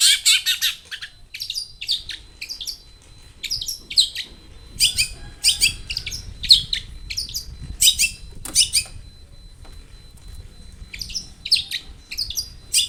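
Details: Long-tailed shrike in full varied song, used to lure others into singing; repeated bursts of harsh chattering and scratchy trilled phrases separated by short pauses, a faint thin steady tone behind.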